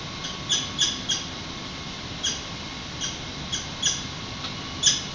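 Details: Peregrine falcons at their San Francisco nest during hatching, early evening of April 6, 2021, with an egg pipping and one adult taking over incubation, recorded by webcam: sharp, high, short squeaky chips in loose clusters over constant low hiss.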